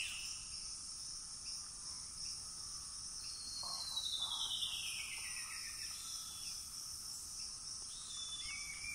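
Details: Wild juvenile female harpy eagle in the Amazon, recorded after a hunt, gives a long drawn-out descending wailing whistle lasting about two seconds. A dense, steady high insect chorus runs throughout.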